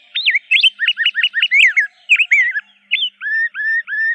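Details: A rose-breasted grosbeak sings a quick run of sweet, slurred whistled notes, then a few rising whistles, clear against a silent background.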